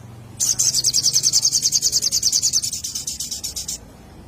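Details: Lure recording of a little spiderhunter: a long, fast, regular series of high piercing notes, roughly three per second-fraction, slowly fading over three seconds, with a soft low hum beneath.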